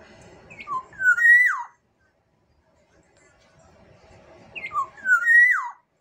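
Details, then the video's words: Sumbawa black-naped oriole repeating a short fluty whistled phrase twice: a few clipped notes then a loud rich slurred note dropping at the end, with soft low background rumble between phrases. "Kepodang emas Sumbawa"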